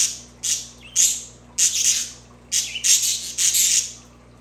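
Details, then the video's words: Budgerigar song recorded to be played for pet budgies: loud, harsh, squawky bursts of chatter, five or six rough broadband phrases in under five seconds with short gaps between them. "Budgies for Budgies"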